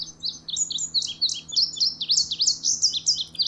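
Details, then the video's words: Indigo Bunting in Virginia singing in the breeding season, when its song keeps other males at bay and guards breeding and hunting grounds: a rapid, continuous run of high, sharp slurred notes, many in pairs, over a faint steady low hum. "the bunting's song continues throughout the season"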